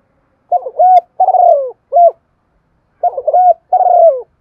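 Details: Spotted dove, a decoy bird giving a calling coo in Thổ style with urging notes, used to lure wild doves: low, loud phrases of a stuttering lead-in and a drawn-out falling coo, repeated in two bouts with silent gaps between.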